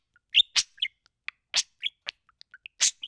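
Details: Male pet budgerigar talking into a microphone, mimicking words and sounds; short sharp high chirps, clicks and breathy bursts in quick irregular succession, with brief gaps between notes.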